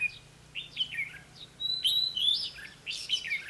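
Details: Red-whiskered bulbul decoy at a fighting trap, singing to challenge and lure wild birds, recorded 20 May 2016; lively whistled and slurred notes in three clear phrases, bright and fluty, over a quiet low hum.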